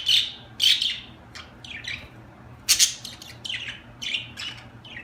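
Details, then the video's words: Budgerigars calling with loud harsh squawks at the start and middle, separated by softer scratchy chirps and short warbles, low hum underneath. "اجمل تغريد في العالم طيور الحب البادجي"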